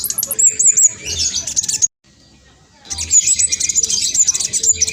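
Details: Black sunbird, speckled, a loud fast singer used to draw responses from other birds: dense shrill twittering and high trills, broken by one short silence before the rapid chatter resumes.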